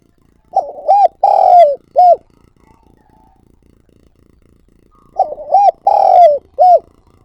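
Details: Repeated calling of a spotted dove kept to lure wild doves. Two matching phrases roughly four and a half seconds apart. Each runs from a wavering coo into a long trembling descending croo and ends with a brief rounded note. Faint background hiss.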